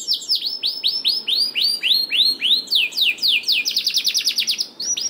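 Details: Canary song as a lure to make lazy canaries sing: a run of slow evenly spaced arched notes, about three per second, speeding into a fast bright trill near the end.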